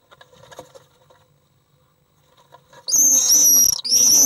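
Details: Common swifts fighting with an intruder inside an occupied nest box in early July: after a quiet start, loud shrill screaming bursts begin near the end, high and harsh with rapid rising and falling notes.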